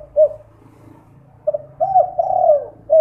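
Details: Spotted dove (derkuku) lure coo at night, 'kuk 2' style, meant to set other doves calling; a short coo, a pause, then a run of soft coos ending in a long sliding coo and a clipped final note.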